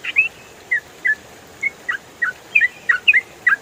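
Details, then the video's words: Clear tutoring recording of a yellow-vented bulbul in 'ropel' style: spaced, bright whistled notes with a few quick doubled phrases toward the end, against a low steady hiss. "MASTERAN TRUCUKAN ROPEL FULL SUARA JERNIH"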